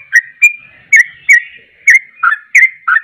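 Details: Yellow-vented bulbul, locally trucuk, singing hard to agitate other bulbuls: eight sharp, slurred chirps, some dipping lower, repeated at short, slightly uneven intervals.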